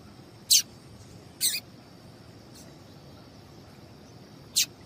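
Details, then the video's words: Papa-capim seedeater female giving call notes that prompt males to sing: three loud, abrupt high chips and one fainter note, irregularly spaced, over soft hiss. "Piado de Fêmea de Papa capim"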